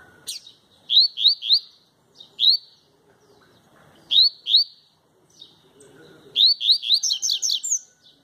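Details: Double-collared seedeater singing tui-tui song with no female nearby: bright rising whistled notes delivered in clusters of two to four, pausing between bursts, ending in a faster run of overlapping chirps.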